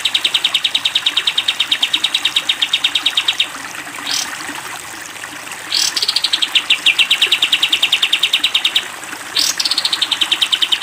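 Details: Long 'tembak panjang' trills from a caged sooty-headed bulbul on a training recording for cage birds: several extended runs of rapid, evenly repeated high notes, separated by quiet pauses and rising whooshing sweeps.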